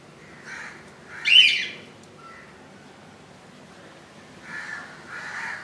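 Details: Nest of budgerigars with a chick hatched on 15 July 2018 at 2 AM: a single loud harsh squawk stands out, with faint buzzy murmurs before it and near the end.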